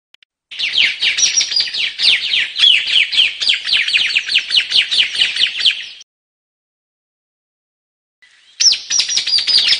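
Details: Rapid chattering series of high, descending notes from a White-capped tanager lasting about five seconds, then a silent gap of over two seconds before the shrill notes resume.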